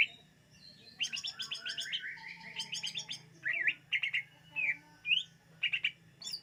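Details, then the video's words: Greater green leafbird song for attracting birds: a buzzy chattering run of rapid notes gives way to separate clear whistles and short trilled chirps, over a faint background hum. "SUARA BURUNG CUCAK IJO UNTUK PEMIKAT"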